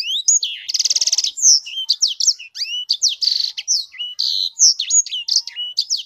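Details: Sanger singing loudly: a fast, varied run of high whistled slurs, sharp upswept and downswept notes and a rapid buzzy trill near the start, with phrases following almost without pause in a clean, quiet setting.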